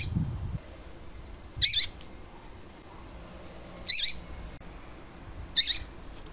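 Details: Double-collared seedeater, the tui tui song style, played to warm up a cold caged male and stimulate him to sing. Three short, bright, high bursts fall about every two seconds over a quiet hiss, with a faint low rumble at the start.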